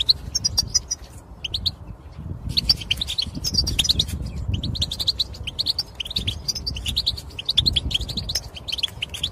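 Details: Goldfinch calls used to prompt males to sing, with scattered high tinkling and twittering phrases above a steady low rumbling background noise.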